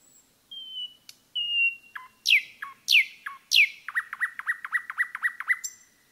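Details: Forest song of a common nightingale: pure, sustained whistles, then three loud sweeping downstrokes, then a quick string of repeated clicking notes. No other sound competes.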